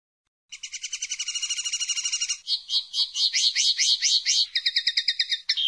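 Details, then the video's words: Song of the common linnet, or pardillo: a long, fast, even trill gives way to louder, sweeping slurred notes, then a second rapid trill ends the phrase. The background is clean and quiet. "El Canto del Pardillo"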